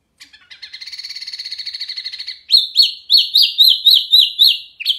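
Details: Loud, clear, constantly singing hwamei (Wambi Mini) as a masteran tutor recording: a rapid buzzy trill of about two seconds gives way to loud rising whistled phrases repeated several times a second.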